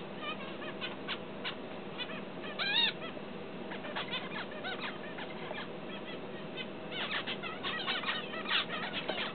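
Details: Tame finch learning to sing: a busy run of short chirps and upturned notes with stacked overtones, louder bursts near three seconds and again from seven to nine seconds, over a steady low background hum.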